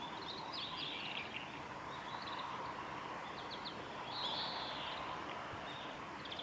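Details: Japanese white-eyes feeding in cherry blossoms at Suga Shrine, 23 February 2019, give sharp high twitters and brief chirp clusters, loudest near the end, over a steady hiss.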